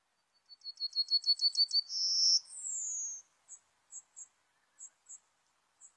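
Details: Serin singing as a trapping lure: a quick series of about eight piercing repeated notes, a sustained buzzy trill, a long falling whistle, then scattered single high chips.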